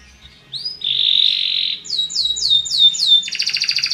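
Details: Belgian canary song to stimulate other birds: a rising whistle opens into a long steady buzzy roll, followed by five or six evenly spaced high falling notes and a rapid rattling trill.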